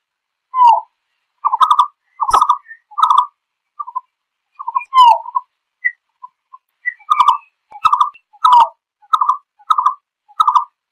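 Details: A green-billed malkoha calls the flock together with a run of rough, low, chuckling notes, irregular at first and mixed with a few thin high whistles, then falling into an even beat of about two notes per second.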